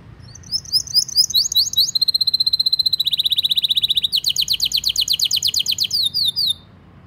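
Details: Canary song used as a pancingan to prompt young or silent canaries to sing: a long, continuous gacor song of fast repeated syllables, high buzzy trills and rolling notes that change type every second or so, with quiet low background hum.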